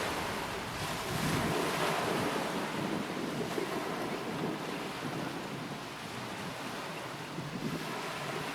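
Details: Waves and wind buffet the microphone in a constant roar by the sea, and no bird voice emerges.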